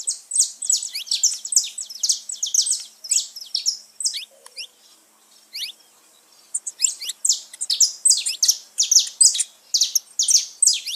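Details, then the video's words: Saffron finch song played to excite pet birds: long fast series of loud, bright downward-sweeping chirps, a short quiet pause near the middle, then the rapid chirping resumes strongly. "canto de canário da terra pra foguea seu passarinho"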